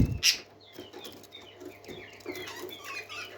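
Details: Happy parakeets singing: a loud sharp click opens, then thin chirps and short rising whistles scattered over a steady low hum.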